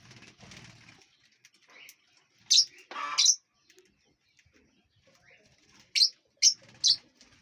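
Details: Aviary lovebirds at their meal, flying about: loud piercing chirps stand out, with a rasping buzzy burst near the middle and three sharp calls toward the end over quiet background chatter.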